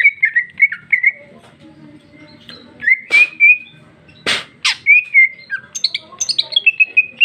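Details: Greater green leafbird (cucak ijo) female, 2021, singing loudly with luxurious fill. Clipped whistles, then rising slurred whistles between loud rasping bursts, ending in a fast, high, twittering run.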